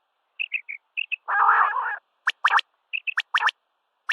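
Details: Common quail at sunrise: a few short high chirps, one long rasping buzz, then crisp, sharp notes in quick clusters.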